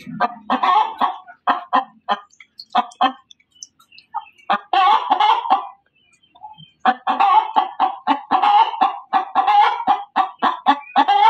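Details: Female chicken cackling hard: choppy bursts of coarse, nasal clucks, a quiet spell near the middle, then a long, fast run of repeated harsh notes to the end.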